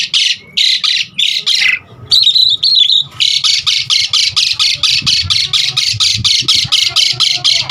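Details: Asian pied starling song used to lure and tutor starlings: uneven harsh rasps, a brief wavering whistle, then a long, fast series of coarse rasping bursts repeated steadily.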